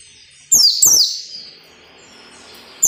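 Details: Two loud, high, falling whistled notes of a white-eye in the 'ngalas nembak' style, training audio for captive birds, followed by near silence.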